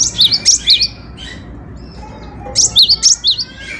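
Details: Singing cinereous tit, known locally as gelatik batu, recorded as a training model for songbirds: two rapid bursts of bright, bouncing whistled notes split by about a second of near silence, with faint low hum.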